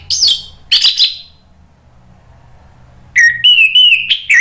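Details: Orange-headed thrush, a kept songbird in Indonesia, singing in the loud ngeplong style used to provoke other birds into singing: two bright whistled notes, a pause, then a longer ringing whistled phrase with warbled ends.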